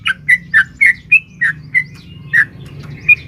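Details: Long 'ropel panjang' singing of a female sooty-headed bulbul calling a male, used to stir caged birds: quick run of liquid chirping notes, some gliding whistles, then sparser notes, over a soft low background hum.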